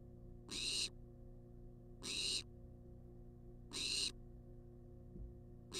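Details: Food-demanding wild barn owl in a monitored nest box: three full rasping hisses and the start of a fourth, coming roughly every one and a half seconds, with a soft tap and steady hum behind.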